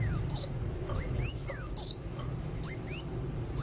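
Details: Sunbird (kolibri wulung) in full song, giving sharp high whistles in pairs and threes, each note sweeping downward, separated by short quiet spells.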